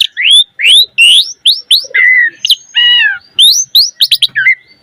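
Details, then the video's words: Black-collared starling singing energetically with a rich fill-in song, played as bait for other starlings. A string of rising slurred whistles, one harsh layered note, then more quick upslurs and chirps. "Jalak Suren Gacor Mompa Isian - Pancingan Jalak Suren Agar Burung Jalak Cepat Gacor Isian Mewah"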